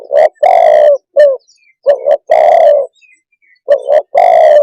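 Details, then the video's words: Spotted dove calling loudly and close, a long low coo, short notes, then another double coo ending in a sustained coo, phrases following each other rapidly. "suab nquab quaj zoo tiếng chim cu đất"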